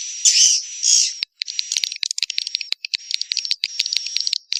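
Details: Swiftlet call used to call the young: two longer buzzy high notes, then a rapid broken series of short clicking, chattering pulses.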